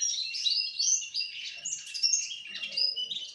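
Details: Russian canary, four months old, singing: a continuous fast warbling run of twittering, trilled and whistled notes, bright and high, with short buzzy rolls and rapid chirps, faint low knocks beneath near the end.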